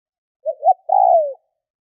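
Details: Single cooing phrase from a decoy spotted dove: two quick soft rising notes run into a long, slightly wavering coo that drops in pitch at the end, with no background noise.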